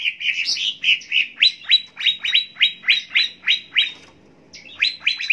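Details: Cucak ijo, the greater green leafbird, in a recording meant to coax birds into full song: warbled notes, then a steady series of sharp, downward-sweeping whistled chips about four per second, a short pause, then more.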